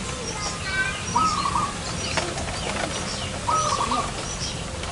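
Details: Zebra dove during a trapping attempt in front of a house; two short trilled cooing phrases, a few seconds apart, amid faint higher chirps and steady background hiss.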